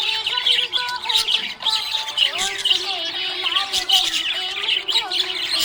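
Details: Budgerigar chirping happily, with continuous fast, scratchy high twitters and short warbled notes over a background of steady, held lower tones that step between pitches.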